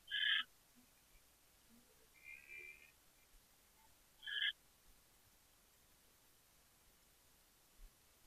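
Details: A captive owl in Chula Vista, California, at 5:43 PM on 23 January 2013 gives three short, high chittering bursts, the first and last loudest, spaced about two seconds apart over a faint, steady hiss.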